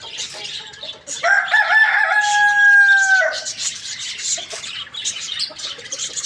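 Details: Morning crow of a rooster: a few rough opening notes rise into a long, loud, level tone lasting about two seconds before cutting off, with small birds chirping and twittering throughout.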